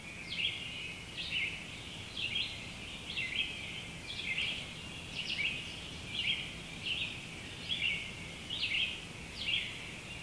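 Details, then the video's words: Red-eyed vireo dawn chorus at a campsite at sunrise, several birds singing: short, high, slurred warbled phrases repeated roughly every second, rising and falling, over steady broadband background hiss. "The vast majority of birdsong here is that of the red-eyed vireo."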